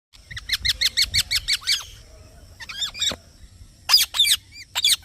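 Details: Green parrot chirping: a fast run of short harmonic chirps, then curved squeaky notes and loud sharp squawk-like chirps after a pause.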